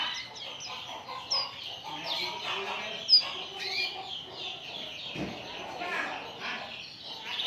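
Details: Oriental white-eye song used as a lure to get other birds singing: dense, fast high chirps and short falling twitters run on without pause, with a brief louder note near the middle.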